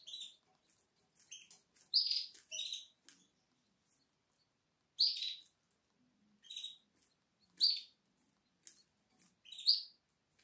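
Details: Seven-day-old Atlantic canary chicks in the nest, 12 April 2022, give short, high, squeaky cheeps, often in pairs, spaced irregularly about every second, with light clicks between.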